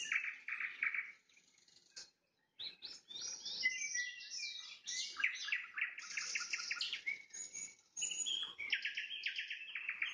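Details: Nightingale song at sunset, loud and close: series of rapid, evenly repeated notes, each series on a different pitch, broken by a short pause, then sharp whistles and fast trills. The background is quiet.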